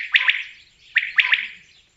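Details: Two sharp triple-note phrases from a common quail, each a single bright note followed by a fast pair, about a second apart.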